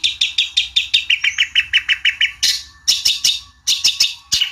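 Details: Long-tailed shrike song used to goad a rival into replying: a quick run of repeated clear notes that drops slightly in pitch midway, then breaks into harsh, scratchy bursts.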